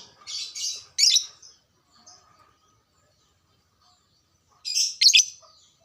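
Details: Lure recording of a lovebird meant to raise arousal and prompt caged birds to sing: two quick shrill chirp bursts, a long silent pause, then another pair of sharp screechy chirps.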